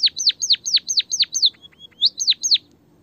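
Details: White-headed munia original voice for training a reluctant singer: six loud descending whistled notes in quick succession, a short pause with faint soft notes, then two more falling whistles before fading out.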